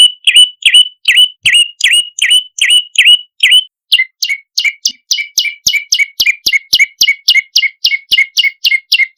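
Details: Olive-backed tailorbird calls played as a lure to attract birds: dipping, clear chirps repeated at an even pace, then switching to a faster run of shorter, sharper notes with a lower, flatter tail.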